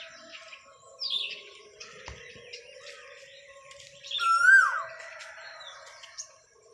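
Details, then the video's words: An Asian koel in a small herbal botanical garden gives one clear whistled note that swoops up and then drops away, with a fainter downslurred call earlier and soft chirps from other birds behind. "THE SWEET SOUND OF CUCKOO,(KOYEL KI MADHUR AWAJ )"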